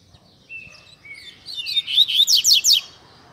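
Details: Tui Tui Zel Zel song of a caged Double-collared Seedeater, meant as a model for young birds: two long level whistles, then rising, accelerating high notes ending in a loud rapid run of buzzy sweeps.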